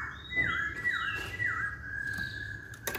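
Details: Masked laughingthrush, chatty and vocal, giving quiet, steady whistles broken by repeated downward dips, about two per second. A low room rumble and brief clicks sit underneath.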